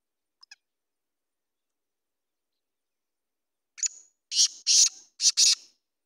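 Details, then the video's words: Kala teetar, the black francolin, calling after a long silence: a thin opening note, then a rapid run of loud harsh, buzzy grating bursts closely spaced near the end. "Kala teetar ki awaz"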